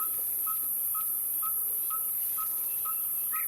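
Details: Red-fronted Tinkerbird song, played for comparison with the yellow-fronted tinkerbird and said to be slightly faster: a steady series of short, pure, slightly rising tonal notes, about two per second, evenly spaced, over a quiet hiss.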